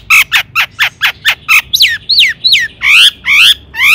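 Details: Long-tailed shrike singing, played to provoke other shrikes into song. Seven harsh, clipped notes come in a steady, quick series, then give way to longer rising and arching whistled slurs.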